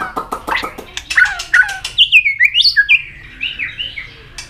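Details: White-rumped shama at peak form, singing continuously with tail flicks. Harsh chack notes give way to a lively run of high, sliding and looping whistles, ending in softer warbles.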